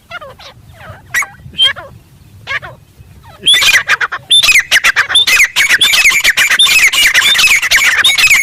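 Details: Wild Grey francolin in jungle: after soft, scattered calls of other birds, a loud stream of harsh, high, rapidly repeated squawks bursts in and keeps going, uneven in rhythm.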